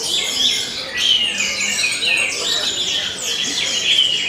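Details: An orange-headed thrush at a songbird contest pours out rapid, varied high phrases of whistles, trills and sharp chirps without pause, with other birds singing over one another.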